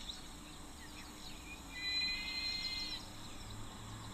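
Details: A juvenile African fish eagle in a tree at a Botswana waterhole on a hot day gives a single strained, high, harmonic note lasting about a second, not yet the full adult cry; faint chirps and low rumble continue.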